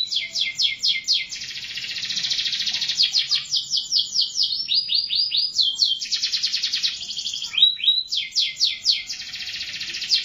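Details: Continuous canary song of rapid trills and sweeping repeated notes, switching between buzzy rolls and descending chirp series, bright and loud throughout with a quiet background.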